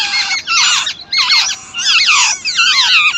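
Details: Chicks fed by their mother beg with rapid, wavering squeaks, several looping, up-and-down notes packed into each burst, with short pauses between bursts.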